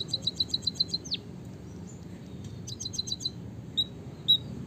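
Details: White-headed munia delivering a canary-style rolling song meant to stimulate munias to sing: quick bursts of six or seven high, evenly spaced pips, a short downward slur, then scattered single chirps against steady low hum.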